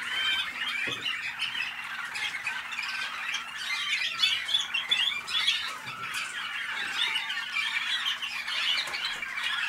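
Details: Waterslager or Malinois canaries from North Canton, Ohio, USA, in a long continuous chorus of rippling, gurgling trills and chattering notes, swelling slightly midway, with a faint steady hum and occasional light taps.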